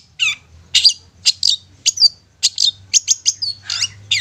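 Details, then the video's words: Long-tailed shrike song used as a lure to make silent captive shrikes sing: a rapid run of harsh, scratchy chattering notes mixed with sharp high whistles, two or three per second, over a faint low hum. "Pancingan Cendet"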